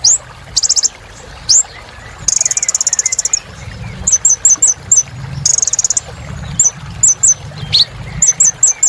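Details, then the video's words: Sunbird in full song for encouraging silent caged birds: long buzzy high trills, scattered upslurred whistles and series of quick paired chirps at a steady pace. "Kolibri Ninja Gacor Untuk Terapi Burung Macet Bunyi"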